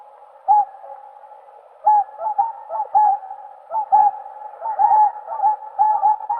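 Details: Whooper swans (Cygnus cygnus) trumpeting: nasal, bugle-like honks, each rising slightly, come about once a second in uneven bursts over a constant hum of more distant swan calls.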